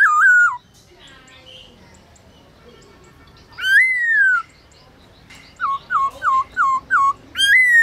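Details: Midday forest-voice song of a kept black-throated laughingthrush: clear whistled phrases between quiet gaps, then a quick run of five short, falling whistles and a rising final note, with faint background chatter.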